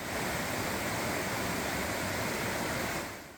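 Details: Steady rushing water or surf fills the whole stretch with broad, even noise and no animal voices.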